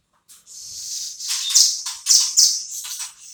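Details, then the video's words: Velvet-fronted nuthatch, a bird kept as tutor song for shamas, giving high, thin trilled notes that build into loud bursts around the middle, with short sharp accents near the end. "BURUNG RAMBATAN GACOR | BUAT ISIAN MURAI"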